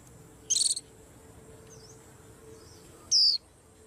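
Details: White-eye amid a commotion: a loud, buzzy, rattling burst of high notes, then quiet with faint chirps, then one clear high whistle sliding downward near the end.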